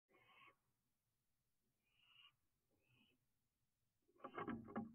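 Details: Barn owl owlet from a third brood, finishing a meal of a rat with the tail still hanging from its mouth: soft breathy hisses, a few short bursts, then louder rustling and scraping as it shifts about.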